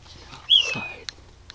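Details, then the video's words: A loud unidentified bird calling at night around 4am from a mesquite tree: one sharp, high whistled note that jumps up then slides down, followed by faint clicks. "Strange bird noises at night"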